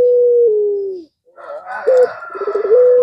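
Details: Puter pelung (Barbary dove) calling to rouse rivals. A long, steady, slowly falling coo, then a noisy, rasping stretch with a rolling coo ending in a held tone.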